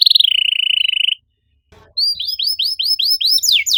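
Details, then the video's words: Canary song used as a lure to get silent canaries singing, in the rapid 'nembak rapat cuit cuit' style: a long buzzy high trill held about a second, a short pause, then quick repeated bright downslurred chirps. "PANCINGAN KENARI MACET GACOR NEMBAK RAPAT CUIT CUIT"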